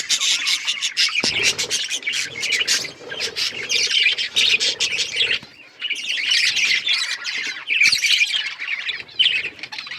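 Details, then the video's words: Budgerigars during breeding and mating, with dense, continuous high warbling chatter. The sound is layered with rapid chirps and scratchy squawks that carry on with brief pauses, and a couple of sharp clicks cut through. "Budgies chirping sounds budgies breeding"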